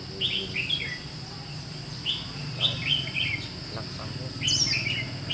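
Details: Lively chirping phrases from a red-whiskered bulbul, white-cheeked 'gấu mèo' type, at a trapping session dated 17 July 2016: quick rising-and-falling whistled notes in clusters, against a steady high-pitched drone and low rumble.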